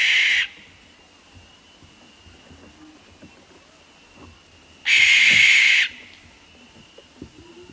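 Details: Barn owl scream recorded at night: a rasping, ghostly screech fading at the start, then a long silent pause and a second harsh scream lasting about one second, with a faint steady tone in the background.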